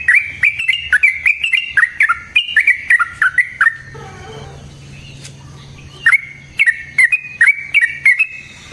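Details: Sooty-headed bulbul giving a fighting song with long rolls, meant to provoke rival bulbuls into replying: crisp, bouncy notes repeated several times a second, a brief lull, then the quick chattering resumes.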